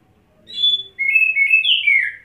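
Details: White-rumped shama, a caged bird wetted before singing, gives a short whistled note, then a flowing string of clear, slurred whistles sweeping up and down, ending on a rising note.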